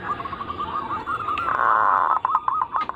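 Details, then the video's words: Lure recording of zebra dove cooing to trigger other doves' song: faint rapid rolled coo notes running throughout, partly masked by a burst of broad noise in the middle. "Pancingan burung perkutut paling ampuh penarik Bunyi semua jenis burung perkutut Anggungan"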